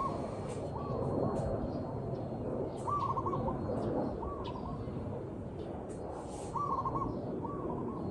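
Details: Zebra dove, real outdoor recording: rapid rolling trills of soft cooing notes come in short bursts, some paired, spaced irregularly over a hissing background with occasional ticks.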